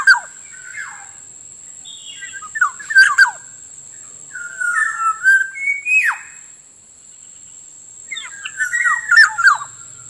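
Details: Wild-bird lure recording of a black-naped oriole: bursts of mixed fluty whistles and sharp downward-dropping notes come in three clusters about three seconds apart, backed by a steady shrill electronic tone.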